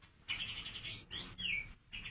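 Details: Caged white-rumped shama at a breeding farm, newly placed in its breeding cage, giving a quick run of high clear whistles: a wavering held note, a rising slur, a falling slur, then another held whistle.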